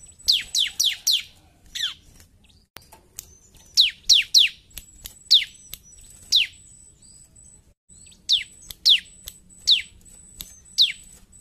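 A bar-winged prinia sings loud, sharp, high notes that drop steeply in pitch, delivered in quick bursts of three or four, over a faint thin steady whine.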